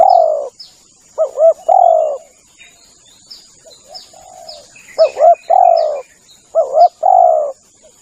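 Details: Spotted dove lure call with a long opening coo, then double-stuttered notes leading into drawn-out hoarse coos, a softer pause midway, and scattered high chirps of small birds.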